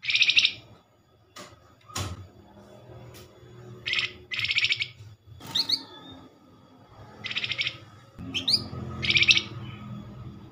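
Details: Flamboyan lure call aimed at drawing a reply from other Flamboyan birds: repeated short, buzzy chatters at irregular gaps, with sharp clicks and rising whistled notes in between, over a low background rumble.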